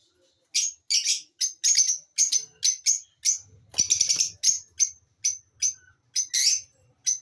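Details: Lovebird chirping: a steady run of short, harsh, high chirps, roughly two or three each second, with a brief rapid stuttering cluster midway and a faint low rumble beneath.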